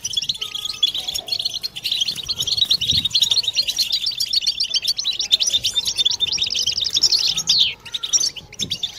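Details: Several European goldfinches twitter together in a collective 'batbata' chorus meant to stimulate females and males into mating song; dense, fast, tinkling chirps and trills run without pause for nine seconds, with a brief buzzy descending slur near the end.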